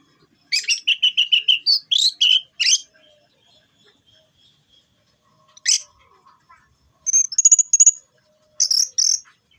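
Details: Orange-headed thrush, a kept songbird, singing in bursts: rapid buzzy and chattering high notes repeated in quick runs, a sharp rising-falling note, then clipped trilled phrases, separated by short silences.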